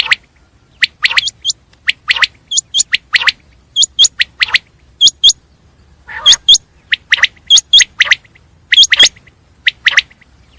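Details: Batir, the common quail, gives a long series of sharp, bright clicking notes in rapid twos and threes, many with a short high flick at the end, keeping up a steady, insistent rhythm for over ten seconds.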